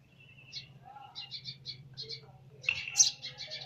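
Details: Baby sparrow chirping: short, high, thin chirps repeated in quick series every fraction of a second, rising to a louder, busier burst of squeaky notes near the end, over a faint low hum.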